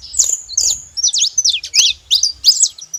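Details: Wild flock of saffron finches at a feeding spot, free in nature: high, sharp chirps and short zigzag notes in quick bursts with brief pauses, several birds calling over each other; faint low rumble beneath.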